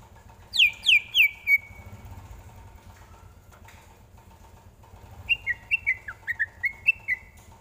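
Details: Greater green leafbird song used as a tutor song for training other birds: two bursts of clear whistled notes sliding down from high to mid pitch, separated by a quiet gap, with a low engine hum underneath.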